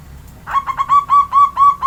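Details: Local Javanese zebra dove kept caged and sunned between seven and ten in the morning, giving a quick series of bright, even, ringing coo notes, roughly five per second, over a low hum.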